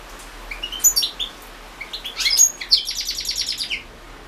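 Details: For the 2016 World Championship in Goldfinch Song, run over the internet, a European goldfinch sings scattered high chirps, then a dense run of twittering notes ending in a fast, even, buzzy trill.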